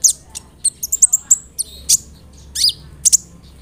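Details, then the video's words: Kolibri ninja sunbird song meant to trigger replies: quick high chirps and short whistled slurs in an uneven run, some paired sharp notes, lasting under four seconds. "SEMUA BURUNG KOLIBRI NINJA AKAN NYAUT DENGAN SUARA KONIN INI"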